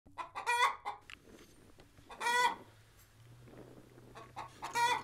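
Chickens give loud, harsh squawking calls in three bursts about two seconds apart, with softer clucks and clicks between them and a low steady hum.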